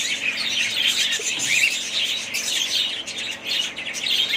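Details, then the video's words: Group of pet budgerigars chirping and warbling, a busy high-pitched chatter of many overlapping birds with short bright notes. "ali family budgies parrots"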